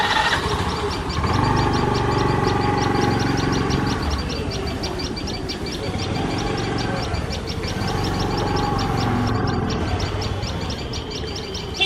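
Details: Tailorbirds defending their nest, which a male cat has approached very closely, make loud shrill alarm notes. High thin notes repeat in a fast, fairly even series of about four per second, over a loud low rumble.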